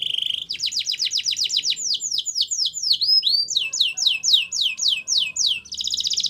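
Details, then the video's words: Russian canary singing a loud, lively phrase: a brief buzzy trill, then a long chain of rapid descending whistled sweeps at roughly four per second with a few looping notes, ending in a dense buzzing trill. "Russian Canary Singing !! Canary Bird Song"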